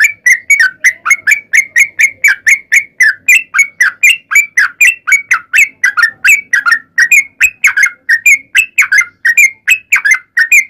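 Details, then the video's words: Sooty-headed bulbul delivering a long 'ropel panjang' fighting song to lure other bulbuls into replying: an unbroken stream of crisp whistled notes, about three each second, running for over ten seconds. "KICAU SUARA trucukan gacor TARUNG ROPEL PANJANG"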